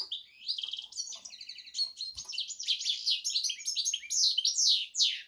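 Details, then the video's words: Song of a goldfinch x canary hybrid: rapid high chirps, rattling trills and sweeping whistled notes run together in a continuous, varied warble, with one faint low knock. "hybrid Carduelis x Canary"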